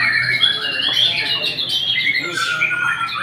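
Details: A white-rumped shama gives sweet whistled phrases and sharp squeaky notes, some sliding downward, in a short lively burst of song.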